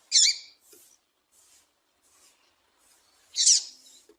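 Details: Female double-collared seedeater call meant to excite males before tournaments: two sharp, high chirps about three seconds apart, with faint softer notes between them in a quiet setting.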